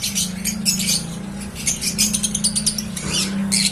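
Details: Newly hatched cockatiel chicks giving raspy, high chittering bursts in quick irregular runs, over a steady low hum throughout.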